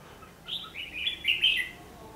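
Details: Red-whiskered bulbul, trapped with a fighting-song lure on 14 December 2015, gives a single rolling, bright warbled phrase of rising and falling notes lasting about a second.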